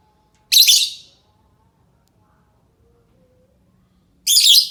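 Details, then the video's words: Lovebird call used as a lure to draw replies from other lovebirds; two harsh, loud, shrill screeches about four seconds apart with near silence between. "Suara Burung lovebird cocok untuk pancingan lovebird pasti nyaut"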